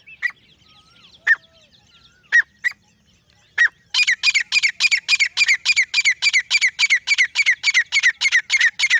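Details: A lone male grey francolin starts with scattered single sharp notes, then breaks into a steady, rapid series of strident, evenly spaced ringing calls, roughly three or four per second.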